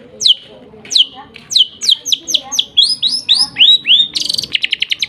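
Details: Lovebird song in the 'nembak gereja sambung' style: quick high downslurred whistles that speed up and rise in pitch, ending in a rapid buzzy chatter.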